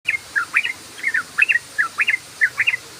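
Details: Sooty-headed bulbul (trucukan) singing in the rapid 'ropel' style: short, bubbly, chirping phrases of two or three notes repeated about twice a second, clear over a quiet background.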